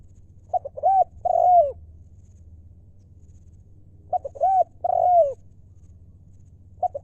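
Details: Spotted dove, a decoy bird of wild stock, calls two full 'lio' phrases and starts a third. Each phrase has brief notes leading into an arched coo and a long descending coo. Faint low hum.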